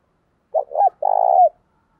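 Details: Spotted dove used as a decoy to call in wild doves for a cooing contest; two short, low coos lead into one longer, throaty, rapidly pulsed coo lasting about half a second.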